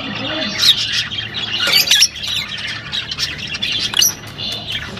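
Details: Lovebirds of the rosy-faced and Fischer's kinds calling to encourage pairing: continuous squawking chatter with scratchy, grating notes and a few piercing squeaks, several birds at once.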